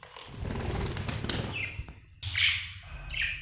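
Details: Happy budgerigar giving two loud, harsh chirps in the second half, after a stretch of rustling and tapping noise with a low background hum.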